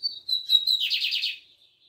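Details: Libanês song of a bigodinho, the Lined seedeater: a thin high whistle, then repeated clear notes leading into a dense buzzy trill of rapid pulses, trailing off into a faint soft note.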